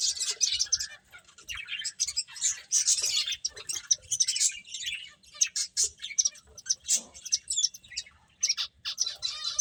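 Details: Several finches chirping while they eat, a dense stream of short, high, sharp chirps and tweets overlapping in quick irregular bursts throughout, with soft low pecking knocks beneath.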